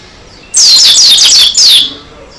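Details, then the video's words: Oriental white-eye (pleci dakun) singing energetically with open beak: a loud burst of rapid high, descending whistled notes lasting about a second, briefly broken, then a short final phrase. "Kicaru Burung Pleci Dakun Gacor Suara Edan Buka Paruh"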